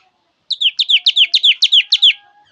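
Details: Java sparrow song: a run of about eight quick, evenly spaced chirps, each a bright note slurring downward, delivered in just over a second and a half.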